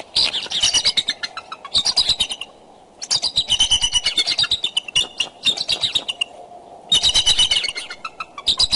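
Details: Courting bald eagles at a Decorah nest, winter morning of 2 February 2012, 9:30 am, give long bursts of fast, high, twittering notes from the branches. The bursts are separated by short silent gaps.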